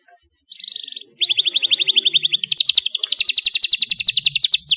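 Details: Learning canary rolling its song in reply to a model recording with cengkok mewah style: a short high trill, a pause, then a long rapid roll that climbs higher and grows louder.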